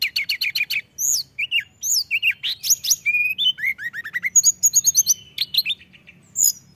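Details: Mountain tailorbird singing energetically: a fast, varied run of high piercing notes, with quick downslurred chips, short whistles and trilled bursts following each other almost without pause.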